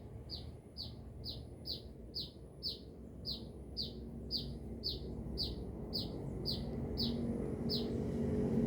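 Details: Sunbird in Binjai in vigorous song, a long regular string of about fifteen high falling chirps, each sharp and brief, while low background noise slowly swells.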